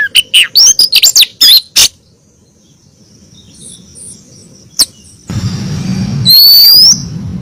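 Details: Female oriental magpie-robin calling to the male, used as a lure for a male: a burst of loud, sharp whistled notes and clicks in the first two seconds, then a quiet pause, a low hum and one long upslurred whistle.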